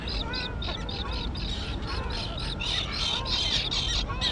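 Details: Noisy chorus of young terns that have just learned to fly, on a grassy island colony: rapid, repeated grating calls from many birds, overlapping, with a steady low wind rumble beneath.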